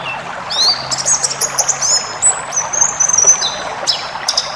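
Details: Wild-style 'ngalas' white-eye song, rich in varied phrases, meant for training cage birds: high, thin rising whistles and quick sparkling chirps strung into fast twittering bursts, with a constant noisy hiss behind.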